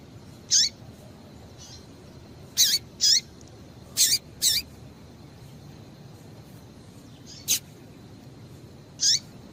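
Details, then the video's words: Female variable seedeater (coleiro) calls, used to stimulate males into singing: short high chirps with a downward sweep, given singly or in close pairs at irregular intervals over steady faint background hiss. "Piado de Fêmea de Coleiro para Esquentar Coleiro"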